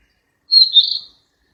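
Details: Single drawn-out whistled note from a wild flycatcher, slightly wavering and lasting about half a second, high and clear against silence.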